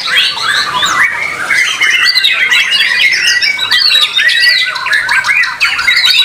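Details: White-rumped shama at an Indonesian bird-song contest producing bursts of loud, varied whistles and harsh chatters, repeated in quick successive phrases with short dips between them.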